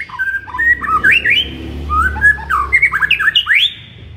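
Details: Morning song of a White-rumped shama used to agitate a kept shama: dense, varied phrases of looping whistles and sharp rising sweeps, loud throughout, with a faint low hum.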